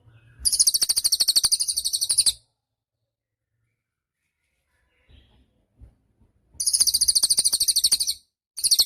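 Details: Cililin in gacor song, used as master audio for training songbirds: two bursts of fast, very high, rattling trills about two seconds each, separated by a long quiet gap with faint low knocks.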